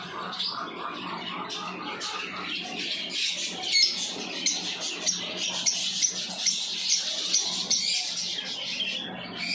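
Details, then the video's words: Lovebirds chirping: a dense, continuous chatter of high, scratchy twitters and squeaks, rising in intensity toward the middle and staying busy throughout. "Beautiful Love birds 💙chirping sound"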